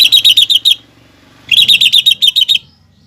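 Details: Lesser green leafbird training song with fighting sparrow, lovebird and hummingbird imitations: two bursts of fast repeated bright chips, about four per second, with a faint low hum behind.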